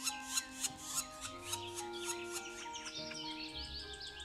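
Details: Black woodpecker chicks waiting at the nest for food in an abandoned apple orchard on Ryazan's southeastern outskirts give rapid, harsh rasping calls, several a second, over steady background music.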